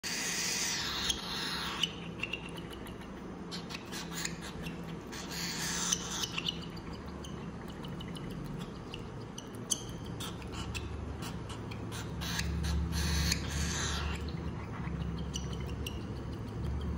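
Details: A 30-day-old cockatiel chick gives rapid, raspy begging calls, several per second, while being hand-fed.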